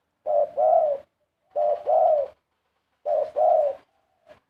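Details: Large spotted dove cooing pleasantly: three clear mellow phrases, each a brief coo followed by a drawn-out, slightly rising-and-falling coo, repeated at steady intervals of about one and a half seconds, no other sounds.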